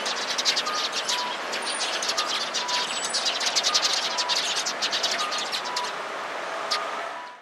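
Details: Sparrows gathering around, giving alarm calls on 16 February 2017: dense, rapid high chirps and sharp tweets repeated several times a second throughout, with a steady hiss of outdoor background noise.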